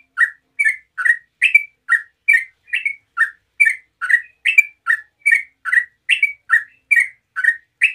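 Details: Yellow-vented bulbul delivering continuous 'ropel' song as a lure for other bulbuls: about twenty short, slightly buzzy notes at an even quick pace, pitch stepping up and down, quiet surroundings.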